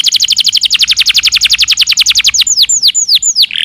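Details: Canary singing on a songbird training recording: a rapid, ringing trill of many short high notes, then a few slower, spaced downward-curving whistles near the end.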